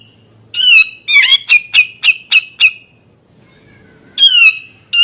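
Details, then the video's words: Grey-cheeked bulbul in gacor singing, played to spur reluctant or stressed birds and young birds into joining in: harsh, buzzy descending squawks, then a fast string of six short clipped notes on one pitch, more squawks after a pause. "Cucak jenggot gacor bikin jenggot susah bunyi stres maupun bahan terpukao ikutan bunyi"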